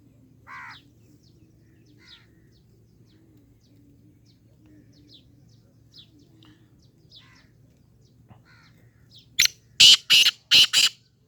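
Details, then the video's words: Black francolin call bursting in near the end: one sharp note, then four loud, rasping notes in rapid sequence, after a long quiet stretch of faint, distant bird chirps. "کالا تیتر کی مکس آوازیں کالا تیتر کی بولیاں ہیں"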